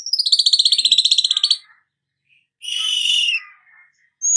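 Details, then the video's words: Weaver (manyar) in 'nyerut' style: a rapid rattling trill of evenly pulsed high notes lasting about one and a half seconds, a pause, then a harsh hissing buzz. "Hitungan DETIK burung manyar anda akan jadi GACOR NYERUT"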